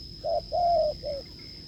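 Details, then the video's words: Wild spotted dove, met while testing a decoy, gives one firm cooing phrase: a short hoot, a long level-to-falling coo, then a softer clipped ending note. A thin steady whine sits high in the background. "đụng bổi đồng gù cứng,gù lợi cốt quá phê"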